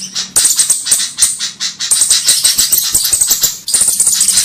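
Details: Flowerpecker (cabe-cabean) lure recording made for trapping birds, especially the Javan kemade: dense runs of sharp, very high thin ticks and chips, stopping briefly and resuming, over a faint steady low hum.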